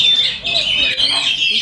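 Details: Contest magpie-robin (kacer), a double winner at a bird contest in Kadungora, Garut, Indonesia, pours out a bright, continuous run of high whistles and scratchy notes with a brief dip partway through; faint voices murmur underneath.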